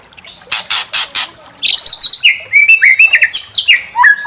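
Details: White-rumped shama song used to provoke another shama into singing its full repertoire: three harsh rasping bursts, then a quick run of varied clear whistles and sliding notes that jump between high and mid pitches, loud and close.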